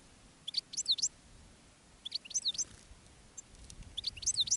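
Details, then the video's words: European goldfinches during field trapping with a decoy bird and a female in a rockrose bush calling wild goldfinches. Three bursts of high, rippling, tinkling twitter notes arrive roughly every two seconds. "Jilguero de reclamo jilguera de jarilla y jilgueros de campo"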